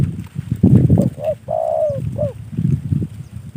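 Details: Gifted, trained spotted dove in captivity gives one phrase: two brief hooted notes, a long sustained falling coo, then a short closing note, against loud low-pitched background rumble and muffled noise.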